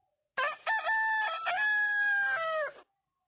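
A rooster crows: two short opening notes, then a long, strained, ringing note that drops away at the end.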